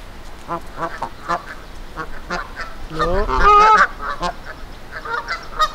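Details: Angry Canada geese at Victoria Park, Kitchener, Ontario, warning off an intruder: scattered short honks building to a loud, prolonged harsh blast midway, then more clipped honks over background noise.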